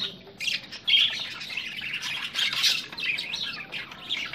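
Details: Australian budgerigars meeting aggressively: harsh, scratchy squawks and bright chirps, bunched high and dense, loudest in bursts near one and two and a half seconds, with the rest a steady busy chatter.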